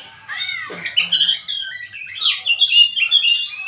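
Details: Oriental magpie-robin singing a rich, varied song of quick whistled and warbled phrases, some rising and some falling, with a brief buzzy burst near the start and dense overlapping notes throughout.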